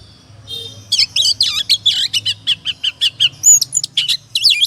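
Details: Oriental magpie-robin ngobra song used to provoke singing: after a soft start, an even series of sharp downslurred whistles and chirps, roughly four per second, with a faint low hum in the background.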